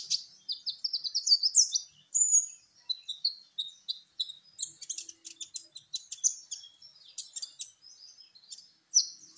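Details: Kolibri ninja sunbird, a champion singer used to draw other birds into song: fast, varied high-pitched warbling of chirps, ticks and short descending whistles, delivered in a steady unbroken flow.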